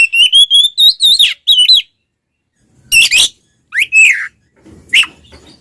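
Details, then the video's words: Fighting-style song of an oriental magpie-robin, meant to provoke rival males: a rapid series of high, bending whistled notes, then after a pause a few scattered rasping and sharply rising whistled calls. "SUARA BURUNG kacer gacor NGEPLONG TARUNG konslet paling AMPUH buat PANCINGAN KACER agar EMOSI"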